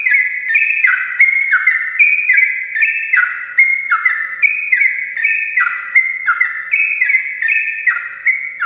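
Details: Long continuous morning song of a sooty-headed bulbul, played to stir lazy birds to sing; rich chattering whistles in quick descending pairs, rolling on without pause throughout.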